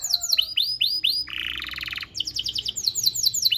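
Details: A canary sings a tutor passage for teaching young canaries: repeated arched whistles give way to a harsh buzzy roll, followed by quick bright rising notes over faint low background hum.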